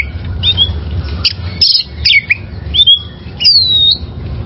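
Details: Wild-caught oriental magpie-robin used for caged-bird song training: rich varied whistles, short downslurred chirps and a drawn-out descending whistle near the end, with low background hum.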